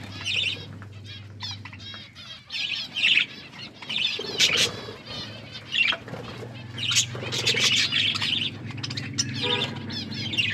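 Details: Several caged pet budgies feeding, keeping up a continuous busy chatter of high warbled chirps and rasping notes, with louder bursts every second or two and a faint low hum beneath.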